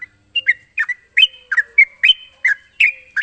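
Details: Sooty-headed bulbul calling a rival with a steady string of short, emphatic, downslurred chirps, often in pairs, roughly three per second, over a continuous faint high-pitched whine.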